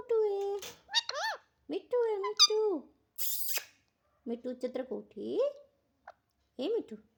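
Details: Pet parrot indoors imitating human speech with voice-like bending syllables, a brief hissing burst, and a quick stuttering sequence of short notes.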